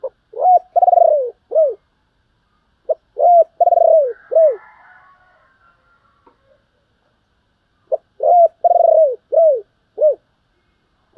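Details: Spotted dove calling coo used to stimulate a decoy, repeated three times. Each phrase has a quick lead note, a rising coo, a long pulsed falling coo and a final drooping note. A faint rasping noise follows the second phrase.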